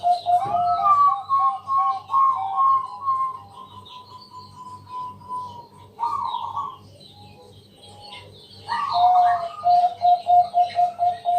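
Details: Loud local zebra dove, Bangkok type, singing at night to lure other doves into song. Runs of rolling whistled coos with a long held note come in two bouts separated by a quiet gap, over a rhythmic low hum.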